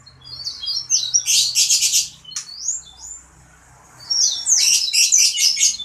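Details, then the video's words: Singing sanger bird, described as gacor (in full song): short whistled slurs lead into loud rapid rattling bursts, a pause with a soft upward whistle, then more quick harsh rattles. "Burung sanger gacor dor !!!"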